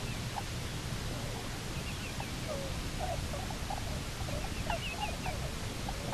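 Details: Bermuda petrel (cahow) pair back at their nest on Nonsuch Island, October 29, 2018, picked up by a live nest camera: rapid chattering, stuttering notes in runs across the clip over a steady noisy background.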